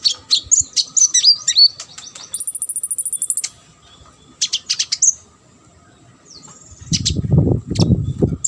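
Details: Sunbird song recorded to teach competition birds: high twittering notes, a sustained very high buzzy trill, then clustered chips, ending under low rumbling noise.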